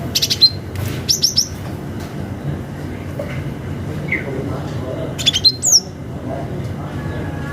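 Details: Cinereous tit (gelatik batu), a natural calling call used to provoke rivals and lure young birds, gives three short bursts of sharp, high, ringing chirps a few seconds apart over a low background rumble.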